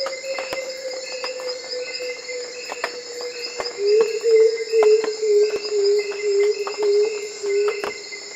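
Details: A Black-throated coucal delivers a run of around seven deep, evenly spaced hooting notes in the second half, set against continuous shrill insect buzzing and a repeated higher chirping insect.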